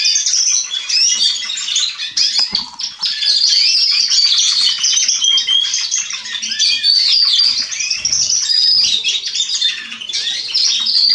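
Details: Singing of young Atlantic and domestic canaries from spring 2020, Remscheid, Germany: dense, unbroken high-pitched warbling with fast trills, whistles and twitters from several birds at once, scattered rustling and clicks underneath.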